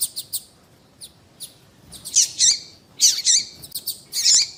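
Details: Female double-collared seedeater calling, used to stir up males: bright, high chirps, some short and clipped, others longer and harsher, coming in uneven bursts over a quiet background.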